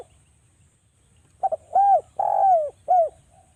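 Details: Derkuku jawa, the spotted dove, on a lure recording to make birds call: two faint clipped notes, then an arched coo, a long slurred coo and a final arched coo, mellow and low.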